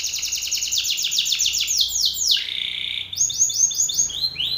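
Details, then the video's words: Belgian canary male singing loudly and aggressively at another male: rapid trills of repeated high, sweeping notes that change speed and pattern, with a brief lower buzzy stretch midway and then swift rising trilled phrases. "Canário belga BRAVO CANTANDO FORTE na cara de outro macho !"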